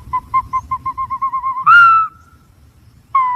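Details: Green pigeon: a quickening series of about a dozen short, soft whistled pips rising slightly in pitch, breaking into one loud, bright, slowly falling whistle, then a fresh note starting after a pause.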